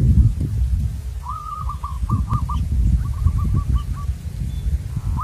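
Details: Local wild zebra dove at a lure-trapping site, singing two fainter cooing phrases of quick, stuttered, slightly wavering notes at mid pitch, over heavy low rumbling wind or handling noise.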